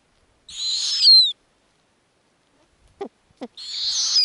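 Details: Arctic snowy owl nest with growing owlets fed lemmings by the mother. A harsh, breathy screech sliding down at the end, two brief low clucks, then another rough screech begins.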